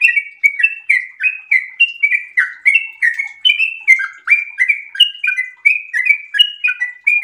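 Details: Sooty-headed bulbul in breeding condition singing a very long, unbroken run of sweet, slightly buzzy whistled notes, alternating higher and lower pitches in a bouncing rhythm.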